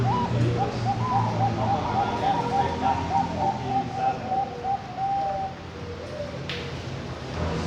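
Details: Male zebra dove, captive-bred in Kediri, East Java, Indonesia, hatched 23 October 2021, singing a rapid rhythmic run of short cooing notes over four seconds, then a fading tail, with steady low hum and background chatter.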